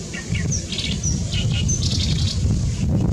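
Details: Great reed warbler singing loudly on 14 May 2021: a quick run of short chirping and whistled notes in scattered bursts over a steady low rumble.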